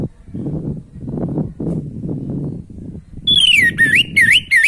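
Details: Orange-headed thrush singing, meant to spark breeding drive in a listening bird: a long stretch of low murmuring noise, then a late burst of clear whistled notes dipping and rising in quick series.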